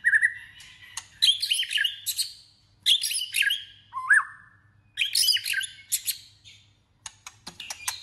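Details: White-rumped shama in competitive singing and voice training: loud phrases of clear whistles mixed with harsh, high buzzy notes, delivered in bursts about every two seconds with short pauses between.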